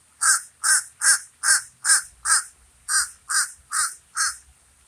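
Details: Harsh, repeated caws from a common raven, six in a rapid even run, a short break, then four more at the same pace.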